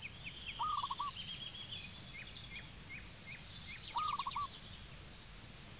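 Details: Cambodian zebra dove calling twice, about three seconds apart, each a brief low run of rapid staccato coo beats, with many other birds chirping and twittering at higher pitch.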